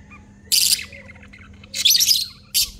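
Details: Three lovebirds kept together in one cage, blue, Fischer's and black-masked: three short bursts of harsh, high chattering chirps separated by quiet pauses, with a faint steady low hum behind.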